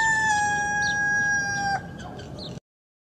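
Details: Rooster crow from a compilation: one long level, clear tone held for nearly two seconds, dropping at the end into fainter broken notes over background noise.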